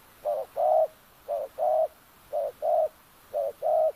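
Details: A decoy spotted dove calls to lure wild doves in an oil palm plantation at Kampung Luagan, Sabah. Four paired coos, a short note then a longer, fuller one, repeat about once a second over quiet background.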